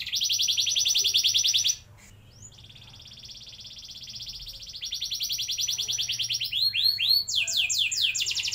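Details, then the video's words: Canary song used as a lure to get young canaries singing long rolls: a fast high trill of rapid repeated notes, a brief pause near two seconds, then further buzzy rolls and sweeping downslurred notes. "Pancingan Ampuh Buat Kenari Paud Agar Cepat Bunyi Ngeroll Panjang"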